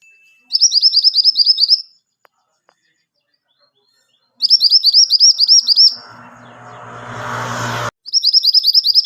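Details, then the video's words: Pied triller song for training caged songbirds: bursts of rapid, repeated high chirping notes, each about a second long, separated by pauses, with a burst of broadband rustling noise in between. "Burung Kemantenan Kuning Gacor"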